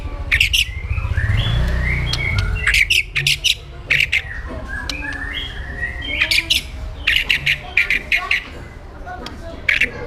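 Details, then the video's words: White-rumped shama in an aggressive 'pastol jahat' song: harsh clicking and ticking notes in irregular bursts mixed with short whistled phrases, over low background rumble. "PASTOL JAHAT MENTAL BAJA | MASA DEPAN CERAH | SHAMA BIRD"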